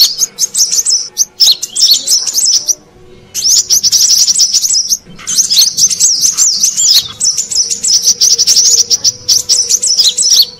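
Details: Brown-throated sunbird, used to lure wild birds, delivers long phrases of high, fast, tumbling chirps and wavering whistles, with clear pauses near three and five seconds.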